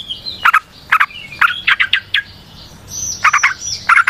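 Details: Yellow-vented bulbul, a 'ropel panjang' song meant to lure and stimulate other bulbuls: repeated clusters of short, gravelly chirps, a brief pause near the middle, then a faint high drawn-out whistle before the chatter resumes.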